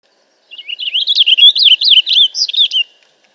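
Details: A Purple Finch (Haemorhous purpureus) sings a rich, rapid warble of slurred notes rising and falling for about two and a half seconds against a quiet background; presented as a song for calling or training birds.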